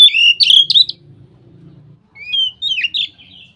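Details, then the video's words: Ngeplong song of a white-rumped shama, reportedly setting other shamas singing: loud rapid warbled phrase, a low humming background for a second, then rising whistles and swooping slurred notes. "suara burung KACER NGEPLONG ini bikin Kacer lain langsung ikut ngeplong"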